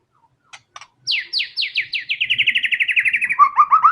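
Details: White-rumped shama in energetic fighter song showing its fill-in repertoire: a few soft clicks, then a fast series of about twenty descending slurred notes that speed up and fall in pitch, ending in lower, rising chirps.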